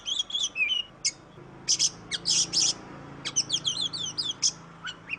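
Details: Oriental magpie-robin singing loudly as a lure to get silent birds singing: brief whistled phrases broken by several harsh scratchy bursts, then a quick run of high twisting whistles and sharp chips.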